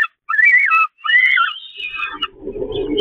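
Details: Begging peregrine falcon at the Catharinakerk nest grating during a feeding, 11 May 2021: two strained, wavering wails, then a thinner drawn-out cry over low rumbling noise.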